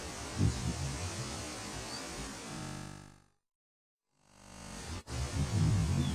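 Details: Music plays, drops into about a second of silence, then returns with a sharp click; no animal calls are heard.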